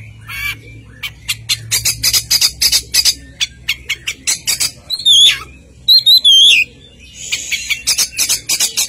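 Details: Oriental magpie-robin singing loudly: a fast series of sharp high clicking and scratchy notes, broken by clear whistled slurs that dip and rise, then more rapid chattering notes.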